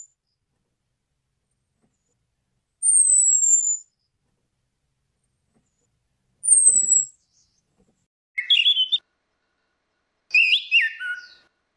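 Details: Orange-headed thrush, female and male, in clear open ngeplong singing used as a lure for birds that will not sing. Sparse notes: a high thin downslurred whistle, a second one, then two rich warbled phrases, with long silences between.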